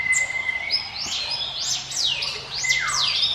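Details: Ciblek gunung, the mountain prinia, singing a song offered as a lure for other birds: sweeping whistled notes rising and falling between high and very high pitch, with a steady thin high tone running beneath.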